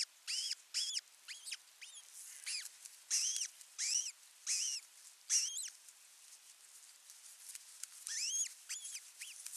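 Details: Osprey calling at a nest-cam site in Satakunta, Western Finland, on June 15, 2024, while the male delivers food to the chick; irregular arched, whistled notes about one and a half per second over faint background hiss.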